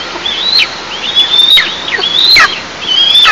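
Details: At a camera-monitored nest of Eastern imperial eagles on 11 July 2024, morning: drawn-out high whistles with abrupt falling ends, given roughly every second over a steady background hiss.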